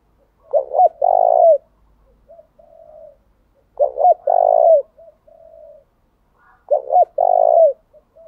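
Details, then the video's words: Spotted dove kept as a decoy, calling urgently so wild doves answer. It gives three phrases about three seconds apart, each two quick rolling notes and a long low coo, with faint soft coos between. "Tiếng chim cu gáy thúc bảo đảm bổi nghe gáy liền, chim cu gáy mồi đảo bài liên tục"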